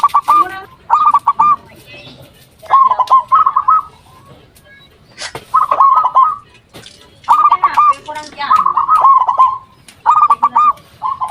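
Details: A lively local zebra dove used as a lure call to draw replies from other zebra doves. Short phrases of fast, bubbly, stuttered coos come about every one to two seconds, separated by quiet gaps.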